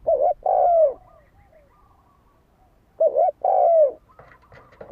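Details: Spotted dove coo used as a lure to provoke fighting. Two phrases about three seconds apart, each a quick wavering double note followed by a drawn-out, slightly falling mellow coo. A faint clatter follows near the end.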